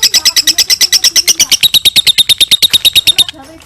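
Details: A lovebird's long ngekek trill for training other birds: quick, regular high chirps that step down to a lower steady note midway, then stop, followed by faint quiet noise.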